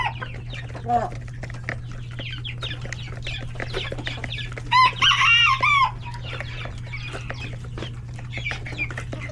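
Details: Coop of chickens, roosters and many chicks at feeding time: a dense patter of clucks and scratching, broken by one loud, harmonic, wavering call lasting about a second, all over a steady low electrical hum.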